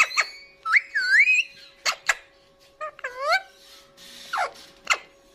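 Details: Pet Indian ringneck parakeet talking while eating food indoors: clear whistled, rising and falling voice-like phrases with bright harmonics, broken by sharp clicks and short noisy bursts, with a steady faint hum underneath.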